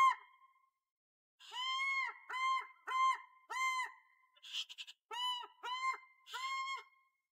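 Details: An African fish eagle gives a call for its partner: after a short pause, an even run of about nine ringing, arched yelps follows in steady rhythm, somewhat quieter.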